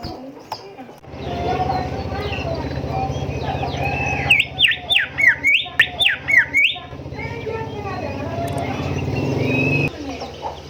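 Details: Golden whistler song used as a training recording for caged songbirds: a run of about eight loud, rhythmic, swooping whistled notes in the middle, over a dense background chorus of other birds and a low hum.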